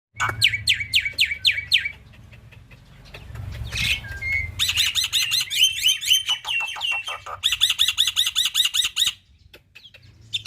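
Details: Black-winged myna tutor song, full 'isian tembakan' fill, for young birds to learn and imitate: rapid series of descending high whistled notes, a pause, then dense buzzy rattling bursts and rapid repeated chips, ending quietly.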